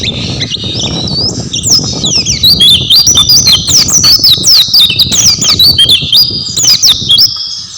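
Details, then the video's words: Oriental white-eye pouring out a long, unbroken warble of high, twisting whistled notes, rising and falling quickly, with steady rustling and low noise underneath. "burung pleci gacor"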